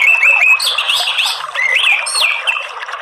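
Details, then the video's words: Orange-headed thrush song used to encourage a kept bird to sing; a loud, fluid stream of whistled, warbling notes with repeated up-and-down slurs and mimicked-sounding twitters. "ANIS MERAH tapi gak mau Bunyi Ngeplong coba TERAPI SUARA ampuh ini"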